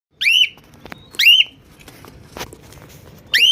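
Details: An angry cockatiel gives loud, shrill, harmonic screeches that dip and then level off, repeated with pauses.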